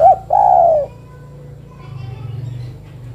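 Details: A calling female spotted dove, seeking a male, gives a clipped coo then a drawn-out, gently descending croon, followed by low background rumble.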